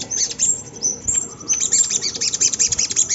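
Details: Lure song of a Sunda laughingthrush meant to set other birds singing: loud, piercing high chatter in rapid clustered bursts, with a brief softer break before a strong, even stream of ticking notes.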